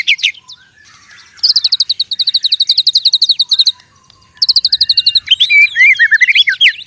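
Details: Fighting white-rumped shama (murai) in forest, delivering long rapid trills of evenly repeated high notes lasting over two seconds, a pause, another trill, then jumbled swooping whistled notes; no other sounds.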